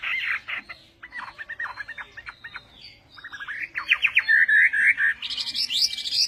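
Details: Chinese hwamei in Vietnamese-style song, starting with soft scratchy chatter over low background hiss, then building into loud, fast whistled trills and high piercing notes.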